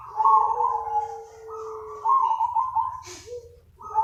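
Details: Zebra dove lure call to attract other doves: near-continuous loud cooing in overlapping pitches with a brief rustle or click, over a low hum.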